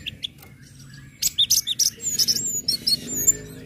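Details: Orange-headed thrush singing ngecip, ngecit and ngeplong phrases meant to provoke other birds to sing along: a quick run of bright, high, evenly spaced whistled notes, about six per second, over faint background noise.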